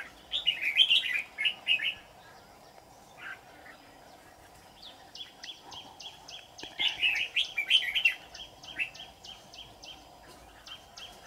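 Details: Decoy red-whiskered bulbul with a bell-like 'má lỡ' voice, used in trapping, gives quick warbling phrases. A run of rapid, evenly repeated high notes follows in the middle, then more warbling.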